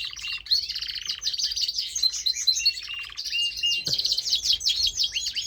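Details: Male canary, a pet, singing rich, high warbles made of fast repeated trill phrases that change every second or so, with one brief click partway through.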